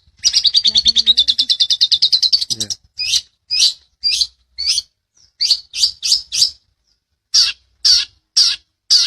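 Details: Long-tailed shrike master recording for training birds: a fast rattling trill of about twenty buzzy notes, then spaced harsh chips repeated about twice a second, some in quick pairs and triplets.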